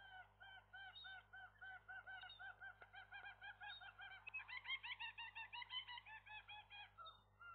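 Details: A young gull pair at the nest as their very first egg arrives at midday, the male staying close; a long run of rapid, rhythmic yelping notes, quickening and growing louder midway, then easing off.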